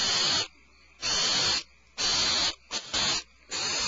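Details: At the Starr Ranch barn owl nest on February 22, 2012, the mother brings back a supplemental rat. Long, rasping hiss-screeches of about half a second, then a clipped double burst, separated by silent pauses.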